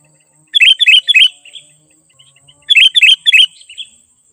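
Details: Sooty-headed bulbul in lively 'gacor' song, used as a lure to call wild bulbuls closer: two bursts of three quick bubbly, warbled notes followed by a softer trailing note, about two seconds apart, over a faint high hiss.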